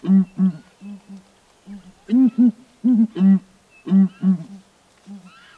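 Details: Southern ground hornbills in Kruger National Park, a pair duetting from a perch on a branch; deep, booming hoots given in short groups of two or three, loud notes alternating with softer, lower answering hoots, through several seconds.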